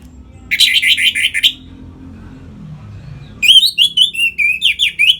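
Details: Orange-headed thrush in lively ngeplong song for stimulating birds into breeding mood: a dense buzzy burst of rapid notes, a pause, then a varied run of sliding, twisting whistles with quick downward and upward inflections.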